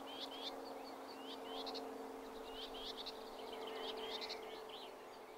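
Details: Common whitethroat from the Blaby and Wigston area of Leicester, giving several short, scratchy, chattering bursts with rising slurred notes, separated by brief pauses, against a constant low background hum.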